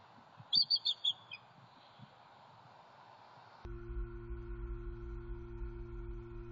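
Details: At night on a Southwest Florida nest, 13 January 2021, bald eagles call while the female incubates eggs and the male guards the territory after an owl attack: a quick run of about five shrill, piping notes, followed by a steady low electronic hum.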